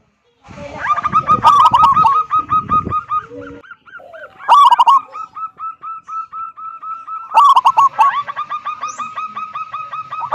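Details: Zebra dove of local stock, strong "kung" voice, singing steadily to coax other doves to sing: loud stuttering phrase openings every few seconds, each followed by a long train of soft, regularly spaced cooing notes; faint rustling at the start.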